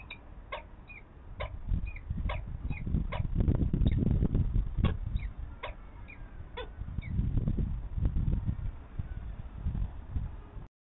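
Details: Nest-camera recording from Nottingham, 7 May 2022: a female Peregrine Falcon feeds her two chicks while they beg with sharp, high squeaks repeated several times a second, some falling in pitch, against heavy low rumbling and thumping noise.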